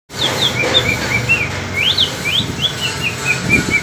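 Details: Greater green leafbird (Cucak Ijo) from East Kalimantan in a singing contest with a speckled Alas Purwo bird from Banyuwangi: clear whistled notes, short rising and falling slurs repeated in quick series, with steady low background hum.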